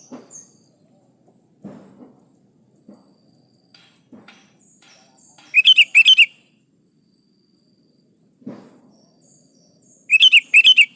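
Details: Energetic sooty-headed bulbul song for stirring caged bulbuls to sing: two short bursts of four loud, bubbly notes, about four and a half seconds apart, among scattered low knocks and taps.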